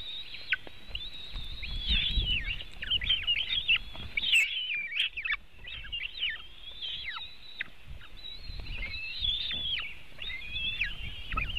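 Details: At a White-tailed eagle nest in Latvia, eaglets being fed on a June 2018 afternoon, webcam: a busy, overlapping chatter of thin, high whistles and short downslurred squeals, continuous throughout, low rumble beneath.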